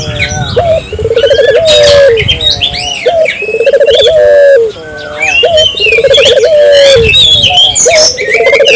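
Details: Lively Barbary dove, played to stimulate local doves into calling, gives repeated low rolling coos, each a quick bubbling trill ending in a drawn-out note, about every two seconds, amid constant high chirps and whistles from other small birds.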